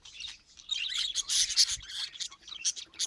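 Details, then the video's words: Parrot outdoors in nature, giving a fast stream of high, scratchy chirps and warbled twitters that rise and fall in loudness over a few seconds. "자연 속 앵무새 소리"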